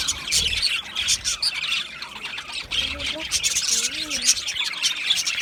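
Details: Australian budgies chattering with squawks and chirps, while lower wavering, voice-like warbled notes rise and fall midway through the busy high-pitched flock noise.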